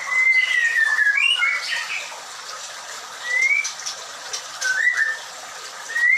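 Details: Murai batu (white-rumped shama) at a breeding farm; clear whistled phrases, gliding up and down, come in separate bursts with short pauses between them, over a steady hiss.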